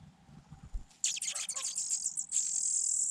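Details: Soft low rustling gives way to a sudden eruption of shrill, high squeaking as four Fujian niltava nestlings in a grass-hidden nest beg for food, building into a steady piercing chorus.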